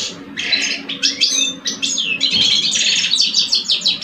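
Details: Two caged male European goldfinches in a singing duel, an older adult and a two-year-old, Algeria; bright twittering phrases of rapid buzzy and tinkling notes, nearly continuous, with a faint low hum beneath.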